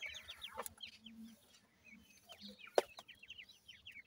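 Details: Young grey francolin chicks, hatched from a gora teetar male and dakhni teetar female, utter quick series of thin descending cheeps, pausing briefly before resuming, with one sharp knock and soft low hum.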